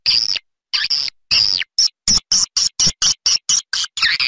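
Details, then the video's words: Outdoor swiftlet sound used as a lure to draw swiftlets to nest in swiftlet houses: sharp, high, clipped chirps, at first long and sliding, then short and evenly spaced, about two per second, separated by silence. "Âm Thanh Nhà Yến"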